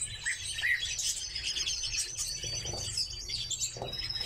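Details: Captive redpolls in a chorus of high chattering and trilled calls, with short twittering bursts overlapping throughout and a faint low hum beneath.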